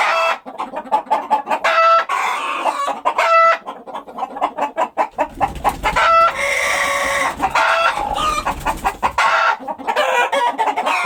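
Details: Several chickens clucking on a countryside farm, with quick runs of clucks and occasional longer nasal squawks, interrupted midway by a few seconds of low rumbling, blowing noise before the clucking resumes.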